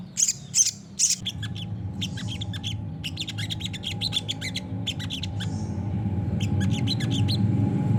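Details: Olive-backed sunbird in gacor nembak song, kept as a master recording for other birds to answer: quick bursts of high, clipped chirps and chattering trills, while a low droning hum grows steadily louder.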